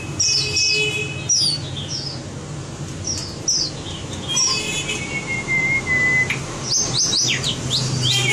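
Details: White-rumped shama being trained for competition singing: scattered high sharp chips and slurred whistles, a long steady pure whistle in the middle, then a burst of high notes, with low background hum.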